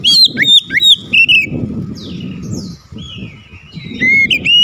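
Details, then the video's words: Oriental magpie-robin singing a varied repertoire. Repeated sharp whistled notes give way to softer slurred whistles and then more bright chirping whistles. Steady low-pitched background noise runs throughout. "PANCINGAN KACER LANGSUNG ANGKAT SUARA GACOR BONGKAR ISIAN"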